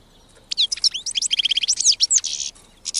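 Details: Song of a wild European goldfinch beginning after a half-second hush: fluid liquid twitters, rapid repeated chips and sharp whistled slurs, ending in a harsh buzzy note and a brief closing twitter.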